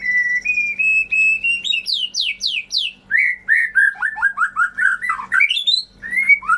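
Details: Lure song of a white-rumped shama meant to get silent or off-form shamas singing again: steady whistled notes climbing stepwise, a burst of high descending sweeps, then about a dozen quick falling slurred notes in even rhythm.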